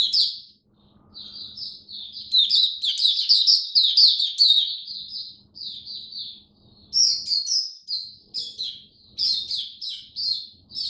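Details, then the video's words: Oriental white-eye kept by a bird hobbyist, diet changed for cold, rainy weather, 8 October 2022; long series of high, quick chirps and sliding notes in bursts separated by brief gaps, faint low background hum. "Mata Puteh Buka Sing Raja"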